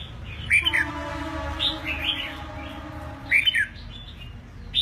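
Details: Eight-month-old red-whiskered bulbul in a cage after finishing its moult, giving short, sharp chirped phrases repeated about every three seconds with softer notes between.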